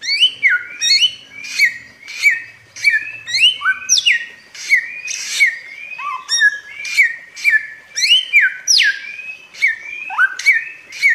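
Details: Bare-throated whistler, or kancilan Flores, endemic to Flores, Indonesia, sings a steady series of bright whistled notes, many slurring down or hooking upward. A short pause breaks the run, which then continues with deeper swooping notes and faint low rumbling early on.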